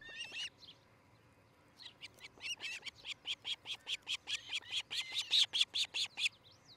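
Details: Nesting osprey couple at Charlo, Montana, on a nest cam, 13 July 2018 in early morning: a brief shrill note, then an accelerating string of loud piercing whistled cheeps, roughly two to three per second.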